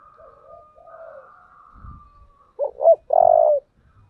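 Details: Spotted dove calling in the 'giọng thổ' style: soft low coos under a steady faint whistle, then two sharp rising notes and a loud, sustained coo lasting about half a second, with slight rustling.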